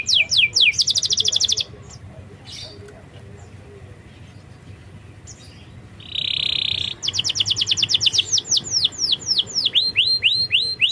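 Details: Lure recording of canary song meant to prompt a lazy bird to sing: quick whistled sweeps and a dense buzzy trill, a quiet gap of several seconds, then another buzz and rapid repeated rising notes.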